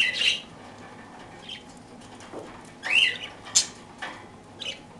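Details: Parakeets eating their daily toast give short, scratchy chirps and squawks, about six in five seconds, some sharp and high, over faint background noise.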